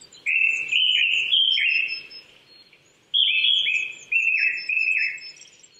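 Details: Japanese thrush, April, morning, 800 m, Chichibu in Saitama, Japan: two clear bursts of rapid repeated fluting whistles separated by a short pause, faint high tones from other birds behind.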